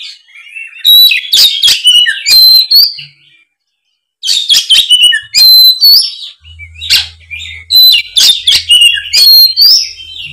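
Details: Fighting song of an Oriental magpie-robin: three long loud bursts packed with clicks, sliding whistles and warbles, a brief silent gap, and a low hum in the background.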